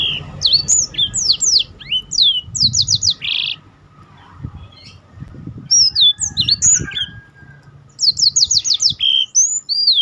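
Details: Black-throated canary singing to prompt other birds and serve as a master song for training. Rapid trills of steep descending whistles come in bursts separated by short gaps. Faint low rumbling sits underneath.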